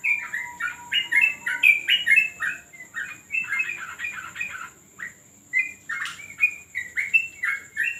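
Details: Yellow-vented bulbul during a training session on a terrace, giving a lively run of short bubbly chirped notes, several a second, with a brief pause near the middle before the chattering phrases resume.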